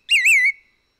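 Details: A White-whiskered Laughingthrush on Hehuanshan, Taiwan, gives one clear, high whistled note that wavers briefly and then slides slightly down, lasting under half a second. Nothing else is heard.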